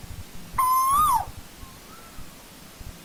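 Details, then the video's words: One strong rising whistle from an Asian koel in old-growth forest, ending in a swift downward slide, followed by faint softer echoing notes and quiet background. "Tiếng chim TU HÚ rừng già"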